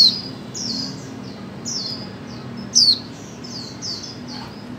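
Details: Female white-eye calling to stimulate birds that do not sing. Mostly soft, high sliding chirps in quick series, with one sharper descending note near the middle.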